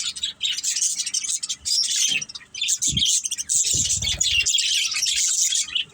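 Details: Several budgerigars chirping together: dense, continuous high warbling and chattering with scratchy notes, broken by short pauses and low knocking sounds.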